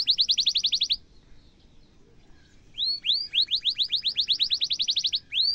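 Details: Canary with a sharp, long roll, played to train young birds: a rapid whistled trill, a short quiet pause, then rising notes speeding into another fast repeated trill.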